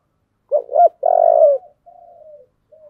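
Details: Single 'giọng thổ' song phrase from a spotted dove: two brisk notes leading into a full, sustained low coo, then a gentle falling coo and a short quiet tail.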